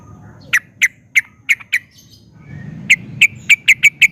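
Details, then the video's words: Sooty-headed bulbul giving sharp, separate chirps, a recording meant as a lure to set other bulbuls singing. Five spaced notes, a quiet gap with faint background hiss, then six quicker notes. "Kicau Suara Trucukan Gacor Ini, Pandai Buat Pancingan Trucuk Agar Jadi Gacor"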